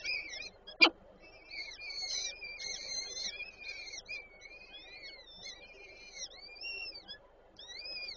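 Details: Peregrine falcons at a nest in Warsaw's Żerań district on 8 May 2023, where the female is feeding her chicks. Thin whistled calls rise and fall in pitch, then shift to slurred upward notes. One sharp click is heard early on.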